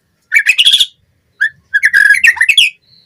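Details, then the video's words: White-rumped shama song played as a lure to train captive birds: quick bursts of bright, twittering notes climbing and falling, a lone short whistle, then a longer jumbled phrase ending in a thin high note. "Pancingan Murai Batu Cepat BONGKAR ISIAN Buat Masteran Suara Burung Murai Agar Gacor Full Isian"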